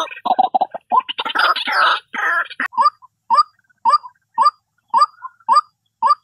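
A White-breasted Waterhen opens with a burst of harsh, croaking chatter, then settles into loud, nasal rising notes repeated about twice a second.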